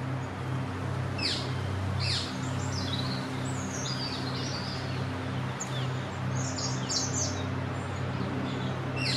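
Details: A Goldcrest darting around in a yew tree in a leaf yard gives very high, thin, needle-like notes in short scattered bursts over a steady low mechanical hum.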